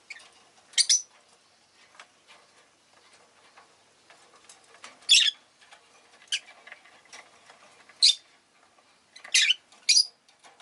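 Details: Rosy-faced lovebirds kept as pets, a flock calling well that day, give scattered shrill chirps every second or two over a faint crackling, clicking background.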